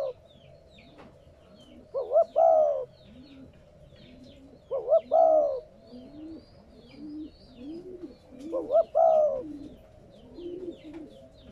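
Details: Spotted dove cooing, meant to stimulate newly caught captive doves to coo. Three double-note-then-long-coo phrases come at uneven gaps. A deeper, softer series of repeated coos from another bird runs beneath, with scattered high chirps.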